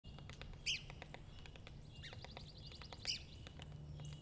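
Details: Red-cockaded woodpecker foraging, tapping and pecking: quick, irregular dry knocks throughout, broken by two sharp high chirps, over a low steady background hum.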